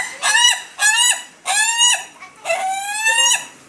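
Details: Ayam Ketawa rooster, national contest quality, crowing in four loud harmonic phrases, each a short rising note that bends down, the last one drawn out longest.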